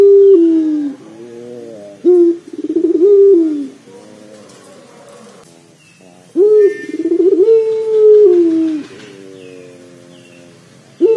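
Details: Repeated pelung dove coos meant to prompt other doves into calling: stuttering, pulsed starts lead into sustained low notes that sag downward, with quieter wavering phrases and a faint steady hum between them.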